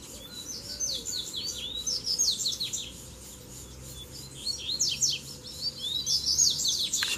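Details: Double-collared seedeater (coleiro) song during a duel as three birds show up together to fight. Long rapid chatter of high, steeply sliding notes in two main bursts, with a brief low whistle early and constant hiss.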